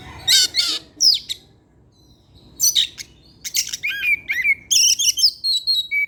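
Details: Oriental magpie-robin (kacer) kept in a cage, singing in the evening: harsh raspy bursts open, then a pause, followed by lively runs of whistled slurs and chattering notes.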